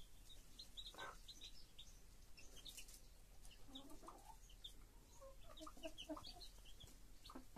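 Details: Chicks with their broody mother hen: scattered thin, high peeping chirps throughout, joined in the second half by a run of soft, low clucks from the hen.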